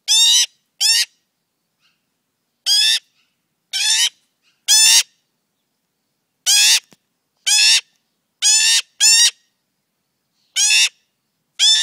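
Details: Very loud young male magpie fledgling, friendly and staying near people, in the morning: harsh, raspy screeching calls in short bursts of under a second, repeated irregularly with silent gaps, otherwise quiet.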